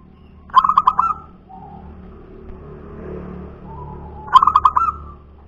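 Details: Wild local zebra dove giving its cooing song: rapid stuttered pulses running into a drawn-out coo, softer low notes in between, the phrase returning after nearly four seconds, with low engine-like rumble behind.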